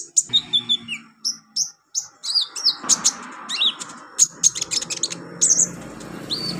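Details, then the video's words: Olive-backed sunbird song, a captive-bird training recording for beginner birds: rapid high, thin chirps and short whistled slurs, some falling, packed into a busy twittering sequence, with a faint low hum beneath. "MASTERAN KONIN/KOLIBRI NINJA buat konin pemula cepat gacor"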